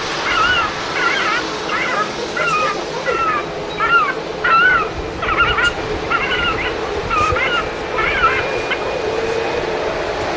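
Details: Herring gull distress calls broadcast through a loudspeaker at Manchester Airport during a heatwave, played to draw birds in before dispersing them with bird-scare cartridges: harsh, wavering cries repeated roughly once a second over a steady engine rumble.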